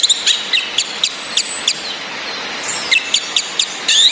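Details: Female orange-headed thrush calls mixed with a relaxed singing male and rain, meant to push quiet males to sing: rapid high chirps in spaced bursts, a long thin whistle, steady rain hiss beneath.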